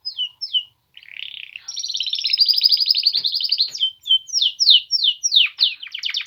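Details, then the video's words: Male canaries of the Polish breed in song: a few whistled slurs, then a long rapid buzzy trill, followed by bright downward-sweeping whistles repeated in quick succession. "Polish male canaries singing"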